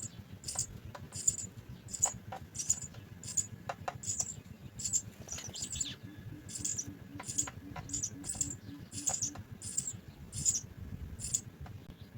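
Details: House sparrow young in the nest calling for food as they are fed: thin, high, sizzling cheeps repeated evenly about every 0.7 seconds, with scattered ticking clicks and low hum.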